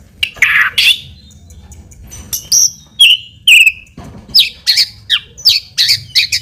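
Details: White-rumped shama song played as a lure to provoke a response: harsh rasping note, then scattered whistles, followed by a steady series of short, high, sharp chirps.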